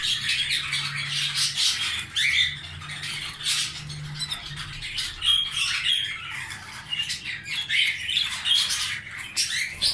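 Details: Canaries, a breeding pair with eggs, kept indoors: ten seconds of busy, scratchy chatter and squawky chirps. Occasional brief whistled notes rise out of the chatter, and a low steady hum runs beneath it all.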